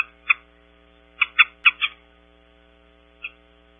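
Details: Mountain bluebirds (identification queried), back visiting Audubon Starr Ranch, California, recorded on a ranch cam: six short, soft notes with a quick cluster of four in the middle, over a low steady hum.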